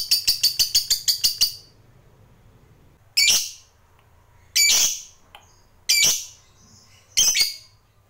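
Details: Lovebird of the fighter type opening with a quick burst of rapid shrill chirps, then falling silent before four loud, harsh screeches spaced over a second apart.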